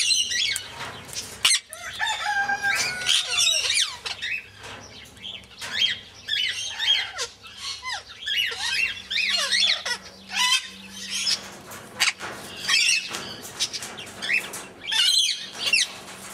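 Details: Two tame pet sun conures give a dense run of harsh, shrill squawks and screeches, calling over one another.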